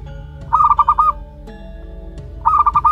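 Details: Local wild zebra dove youngster, one month old, gives two quick bursts of rapid pulsed cooing notes about two seconds apart, steady low tones running underneath.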